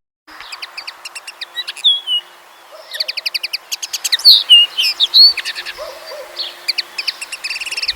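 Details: Common linnet heard on a farmland walk through West Sussex countryside near wheat and barley fields, identified by a bird ID app: lively twittering song in quick, high bursts, mixing short buzzy trills and bright musical phrases, several per second, over faint hiss.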